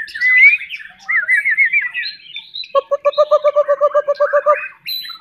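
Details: Spanish canary singing: wavering whistled slurs lead into a fast, even series of about a dozen repeated low notes, ending with a bright high phrase.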